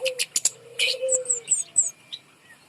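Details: Kemade bird hanging overhead, used as a singing lure for lazy birds: rapid bursts of high chirps, then a run of four descending high whistled notes, over a low sustained tone.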